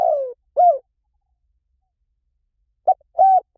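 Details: Spotted dove cooing: the end of one phrase with a falling purr and an arched coo, a silence of about two seconds, then the short opening note and level coo of the next phrase.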